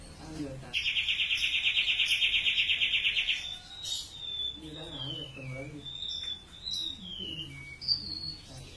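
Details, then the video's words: Bird singing in lively, full voice: a loud, fast buzzy trill lasting almost three seconds, followed by softer wavering and falling whistles. Faint voices murmur in the background. "burung siur siur laut gacor"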